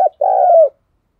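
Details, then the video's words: Decoy spotted dove coo, used to prompt wild and captive doves that stay quiet in the rain: a brief clipped note, then one sustained low, hollow coo falling slightly at its end, in silence. "Trời mưa thế này bổi và mồi lười gáy thì anh em hãy mở ngay vdeo Chim Cu Mồi này nhé"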